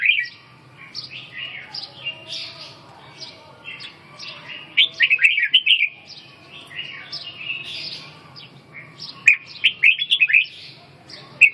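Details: Red-whiskered bulbul singing a long run of chattering whistled notes that grows louder midway and again near the end, over a faint low background hum.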